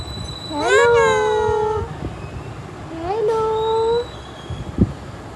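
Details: Pet parrot saying hello: two drawn-out, tonal, voice-like utterances, each sliding up and then held steady, separated by a pause, with a faint tap and a low background hum.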